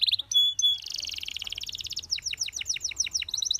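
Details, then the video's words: Belgian canary song for training canaries: short whistles, a long rolling buzzy trill, then quick rhythmic downslurred notes and chirps. "Belgian Canary Singing That Boosts Canary Confidence"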